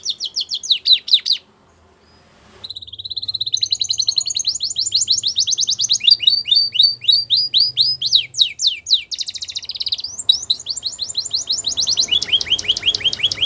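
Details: Canary singing for young canaries in training. After a brief sharp burst and a short pause, it delivers an unbroken string of rapid rolling trills and slurred notes, changing tour every second or two, over a faint low hum.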